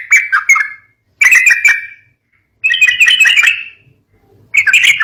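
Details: Yellow-vented bulbul song used to provoke young birds. Short bursts of chattering, bubbly notes, each under a second, separated by clear silent gaps.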